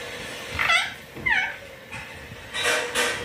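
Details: A green ringneck parrot kept as a pet is talking. It utters two brief syllables with bending, voice-like tones, then two harsher, noisier bursts near the end. The room is otherwise quiet.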